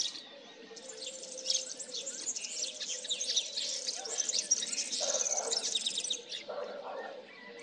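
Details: A male common linnet sings a fast, continuous twittering warble of high, chattering notes for about six seconds in late winter just before spring, distracted by a nearby singing serin; faint lower rustle near the end.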